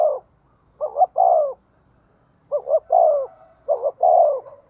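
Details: Caged decoy spotted dove calling quickly to provoke rivals: low, hoarse coo phrases, each a short doubled note followed by a longer falling croon. The phrases come in three groups across the clip, with silent gaps between them.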